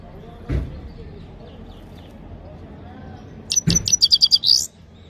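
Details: A single low thump, a pause, then a Himalayan goldfinch delivers a quick string of high, clipped notes ending in a rising buzzy note.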